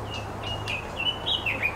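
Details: A white-rumped shama, one of a pair feeding nestlings at a nest on the North Shore, gives a thin, high, drawn-out whistle that wavers and dips a few times, over a low steady background hum.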